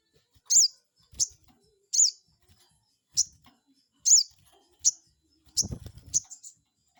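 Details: Lure recording of a crested jay meant to rile a rival. A steady run of sharp, high, downward-flicked notes, about one per second, then a burst of closer notes over a low rumble near the end.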